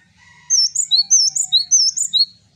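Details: Bright, tinkling 'wucit wucit' phrases from a singing male Java sparrow, about five high paired notes following soft, thin lower whistles.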